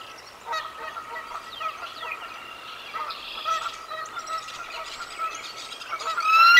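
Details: A bald eagle at the Decorah North nest on 4/4/24 sounds the alarm as an intruder flies over and her mate chases it away. She gives high, thin chittering and piping notes that grow louder and sharper, over a steady hum and faint chirps.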